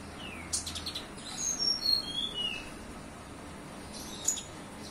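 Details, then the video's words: Olive-backed sunbird song with cililin phrases: a short stepped run of thin, high whistles descending in pitch, followed by a single sharp chip after a pause. "Konin isian cililin"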